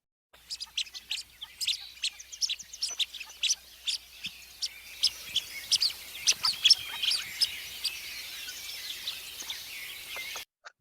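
Blue-winged Teal giving soft, high, thin pips, about two a second in loose irregular runs, over a faint steady background hiss.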